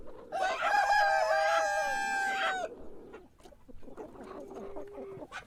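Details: Morning rooster crow lasting over two seconds, strong and steady with rich harmonics, then a quieter stretch with faint clucks and a soft distant tone.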